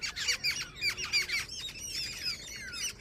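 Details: Harsh, squeaky jungle babbler notes, a female babbler by the account given, repeated in quick uneven succession over three seconds with faint background hiss.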